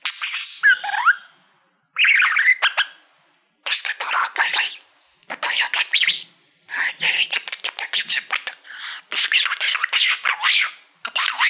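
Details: Pet budgerigar singing to a shiny play-button plaque it treats as a mirror, indoors: bursts of scratchy, buzzy chatter and clicks separated by short pauses, with no other sounds.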